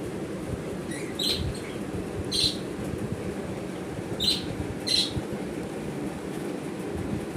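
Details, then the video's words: Four short, high chirps from small pet birds at home, spaced a second or two apart, over a steady low rumble like traffic or a train. The birds are a yellow female, a blue male and two chicks aged 5 and 12 days. "Little colourful birds chirping"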